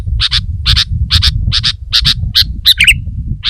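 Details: Sooty-headed bulbul repeating paired sharp chips about twice a second, ending with a brief trilled twitter, over noticeable low background hum.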